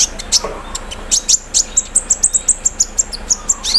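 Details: Sunbird kept in a cage and aired in the morning dew, delivering a steady string of thin, high, ticking notes about five per second, a trilled 'cerrr' embroidery-machine style, over faint background hiss.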